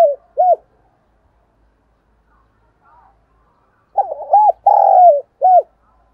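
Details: Spotted dove, cooing for lure calling, gives short low coos at the start, then a longer rolling phrase of three or four coo notes near the end, otherwise quiet.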